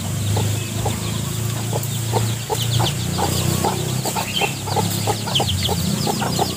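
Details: Hens foraging with their chicks through vegetation litter in search of earthworms; rapid, regular low clucking, several per second, mixed with many high, thin chick peeps over a steady low rumble.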